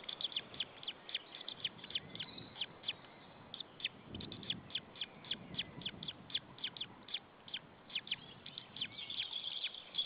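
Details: White-tailed eagle nestling alone after its parent departed, Saunja nest, Estonia, 26 April 2013 at 16:44; steady stream of thin, high cheeps, roughly several per second, with a brief low rumble mid-way.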